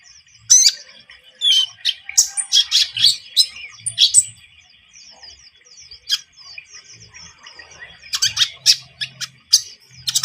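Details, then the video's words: Javan munia in lively song, a recording meant as a lure for bird trapping: bursts of high, thin chirps and short twittering trills separated by brief pauses, with a faint steady high hiss underneath. "MASTERAN KONIN GACOR SUARA ENAK COCOK UNTUK PIKAT/PANCINGAN"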